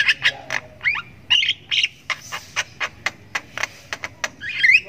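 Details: Javan myna chick calling while learning to make sounds; a few bent, nasal squawks followed by a steady string of short, sharp chirps roughly every quarter second, ending in a wavering squeal.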